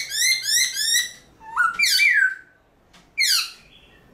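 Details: Caged black-throated laughingthrush (Garrulax chinensis) singing in early morning, used to train and stimulate other laughingthrushes to sing: rapid bursts of clear, harmonically rich whistled notes, then sweeping descending slurred phrases, pauses between bursts.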